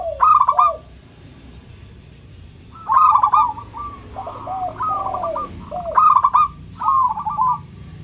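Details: Zebra dove of a local strain singing as a lure for doves reluctant to sing: rhythmic stuttering coo phrases about every three seconds, with softer drooping coos and a held tone between them.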